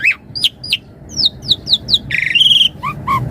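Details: Varied 'isian mompa' singing from a Javan pied starling, a master and lure recording: a string of quick rising whistled notes, then a harsh buzzy rasp and a couple of lower slurred whistles.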